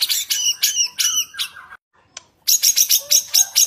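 White-rumped shama giving a bright, rapid run of harsh, chattering notes, about five per second, then a brief pause and another quick burst of ringing phrases.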